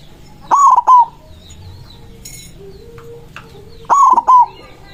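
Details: White zebra dove calling rivals: two powerful rolling coo phrases about three seconds apart. Quieter whistles and short chirps from other birds fill the gap.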